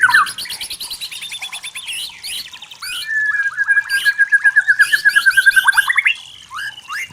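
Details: White-rumped shama of the forest singing: opening chatter, then a long steady series of rapid, evenly repeated notes lasting about three seconds, ending with rising whistled phrases.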